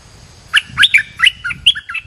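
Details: Bulbul calling to lure other birds, known in Thai as nok dok taeng: about eight quick, bright, warbling notes that rise and fall in pitch, with a faint low rumble beneath.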